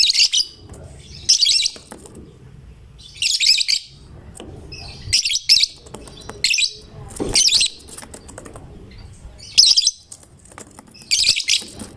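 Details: Caged lovebird singing in a way meant to prompt other lovebirds to sing along: bursts of shrill, scratchy high twittering about every one to two seconds, short gaps between, a steady low hum underneath.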